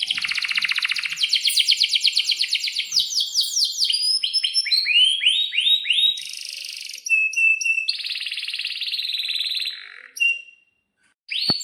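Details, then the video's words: Canary in breeding condition pouring out a long, varied song meant to coax young birds to answer: rapid buzzy trill, rising upswept notes, sustained shrill tones and chattering phrases, ending after a brief pause with one sharp note. "kenari gacor panjang buat pancingan kenari paud belajar bunyi agar NYAUT"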